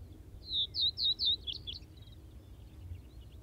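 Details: In Hokkaido's Wakka Primeval Flower Garden, Japan, a Common Reed Bunting gives one quick phrase of about five high, emphatic chirps, the last notes slightly lower and buzzier, then quiet with soft low background noise.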